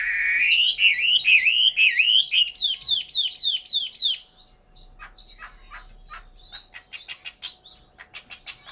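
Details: Chinese hwamei, a cage bird in Hanoi, Vietnam, pours out fast looping whistles, then a rapid series of sharp repeated buzzy notes about four per second, fading into quiet clicks and chips.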